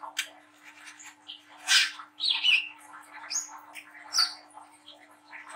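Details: Young spotted Brown-throated Sunbird singing, its chattering and melodic notes meant to encourage young birds to sing. Quieter scattered twitters with a few loud harsh bursts and short high whistled slurs.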